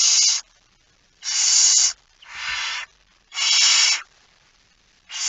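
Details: Slow, spaced hissing from a barn owl with a mouse, 17 September 2019, 01:49: four long, breathy rasps with pauses of up to a second between them, the start of a fifth, and a few soft taps.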